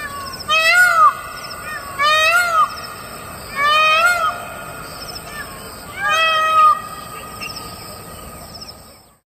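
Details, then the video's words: An Indian peacock calls on a winter morning, four loud, nasal, wailing calls, each rising then falling, about two seconds apart, over a faint steady high background hum. "An Indian peacock calling out"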